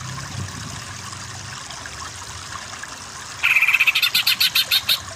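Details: Greater green leafbird tutor recording meant to make a weak singer sing vigorously; after a quiet start, a rapid buzzy burst of about ten evenly pulsed high notes closes the recording.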